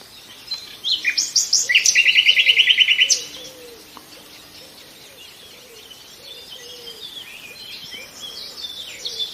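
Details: Nightingale singing: a rapid buzzy rattle of about fifteen evenly repeated notes followed by quieter twittering phrases, with other faint birds in the background.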